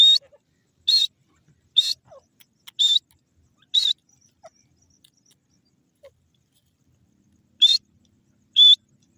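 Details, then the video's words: High, clear whistled notes from a grey francolin (Sindhi teetar), five in quick succession about a second apart, then a pause of nearly four seconds before two more notes. "sindhi teeter ki awaz,gray francolin bird sound"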